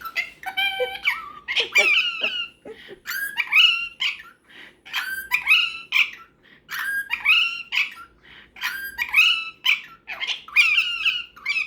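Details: Indoors at bedtime, a pet cockatiel and a superb parrot converse in quick, uneven bursts of squeaky, buzzy chirps and slurred whistles, about every second, sometimes overlapping, over a quiet room background.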